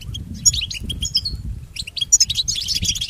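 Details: European goldfinch song for training pet goldfinches: sharp, high tinkling twitters and short slurred notes in fast bursts, ending in a denser run, with a soft low rumble.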